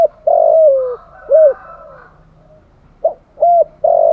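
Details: Spotted dove coos played as a lure to stir a decoy bird, including urging coos and calling coos. Low, hollow coo phrases: a long drawn note sliding downward, then short clipped coos, a pause, and another burst of short coos ending on a sustained note.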